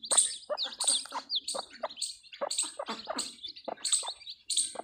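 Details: Newly hatched chicks of a desi hen on a farm give high, thin peeps in rapid, uneven runs, with lower soft clucking notes between them.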